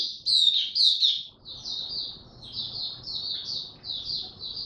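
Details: An Oriental white-eye kept in a cage sings a continuous stream of thin, high, slurred notes, about two per second, opening with louder warbles and settling into a steady twittering run.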